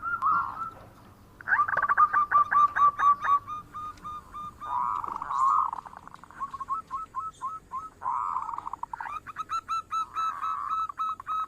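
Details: Local zebra dove in active song, giving low cooing phrases broken by rapid staccato pulsed notes, repeated in bursts every few seconds, with faint high steady tones in the background.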